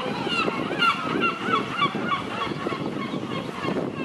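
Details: Loud gulls in Nesebar, Bulgaria, giving quick runs of short honking, laughing notes, about three per second, several birds overlapping, with low background murmur and traffic-like rumble.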